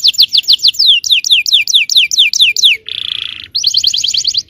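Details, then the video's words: Yellow canary song used to make other canaries answer: repeated slurred downward whistles, a short buzzy roll, then a quick even trill. "suara kenari kuning bon yang sangat efektif memancing emosi.. belum ada 10 detik pasti nyaut gacor!!"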